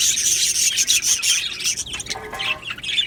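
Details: Budgerigars chattering together, described as happy budgies; fast, busy high warbles and chirps from several birds, a few lower squawks mixed in, dense and continuous.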